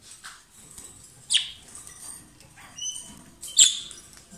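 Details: Short, high chirps and squeaks from a pair of lovebirds, spaced irregularly, with one brief whistled note and a sharp squeak standing out.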